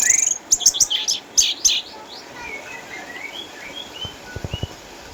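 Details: Caged orange-headed thrush in Sukabumi, Indonesia, an eight-year-old former champion with cataracts: a fast high trill and loud buzzy chattering phrases, then quiet whistles and a few low clicks.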